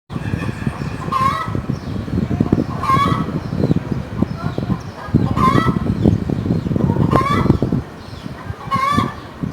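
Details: A hen cackling: loud, nasal, harmonic notes ending in a rising squawk, repeated about every two seconds. Low rumbling and thumping noise runs underneath throughout.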